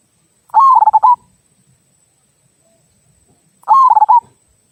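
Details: Local zebra dove singing the "kung" song style, used to prompt other birds to sing: two short rolling, throaty cooing phrases, each about half a second of quick pulsed notes, spaced about three seconds apart in quiet surroundings.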